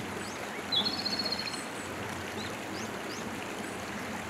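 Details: A Japanese robin, recorded in Hiroshima in 2019, gives one brief, high, rattling trill lasting under a second, followed by a few faint high notes, over steady rushing stream noise.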